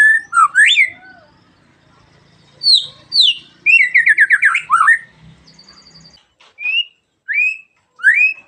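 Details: A magpie-robin in morning song that prompts other birds to join in; rising swooping whistles, a rapid descending trilled series, a soft buzzy stretch, then short upslurred whistles spaced about half a second apart.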